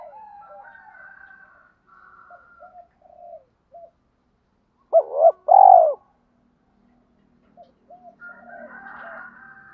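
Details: Decoy spotted dove cooing to lure and stimulate wild doves; faint low murmuring coos, then a loud burst of two or three rounded, hollow coo notes midway, followed by quieter trailing coos.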